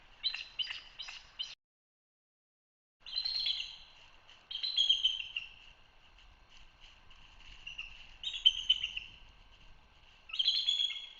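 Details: Bald eagle chatter recorded by a nest live cam in Hanover, Pennsylvania: thin, high piping chirps in a quick stuttering series, then a short silence and longer rapid chattering runs with brief pauses between them.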